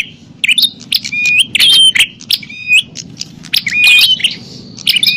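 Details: Bar-winged prinia fighting call, a noisy lure recording for calling wild prinias: bursts of harsh buzzy chatter broken by short rising whistled notes, uneven spacing, over a faint low hum.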